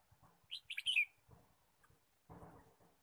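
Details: Red-whiskered bulbul in forest on a bird-trapping outing, March 23 2017, giving a single lively phrase of several clipped, descending chirps, then quiet with soft rustles and a muffled low shuffle near the end.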